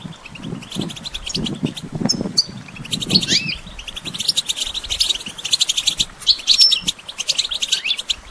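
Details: European goldfinch, used for songbird training: continuous high twittering and rapid chirp series with occasional whistled slurs, over soft low rustling sounds early on.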